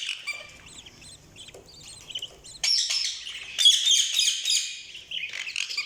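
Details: Budgerigars chirping: a busy jumble of short high warbled and squeaky notes, quieter at first, then a louder dense chattering burst from several birds.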